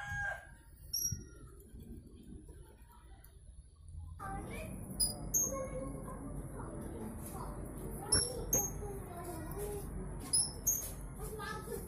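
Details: Caged Blue-crowned hanging parrot from Jungkat, West Kalimantan, entered in an online singing contest: thin, very high whistled notes, short and down-slurred, given in irregular bursts and pairs over steady background noise and a low hum.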